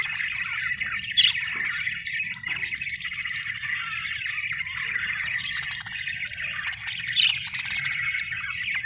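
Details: Happy budgerigars, called Australian birds, keep up an unbroken twittering chatter, many overlapping chirps and short squeaks, with a few louder sharp notes near the start and end over a steady low hum.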